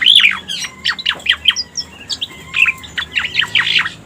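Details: Striated grassbird lure calls: a loud squeaky note opens, then spaced sharp chirps and slurs follow, ending in a busier cluster.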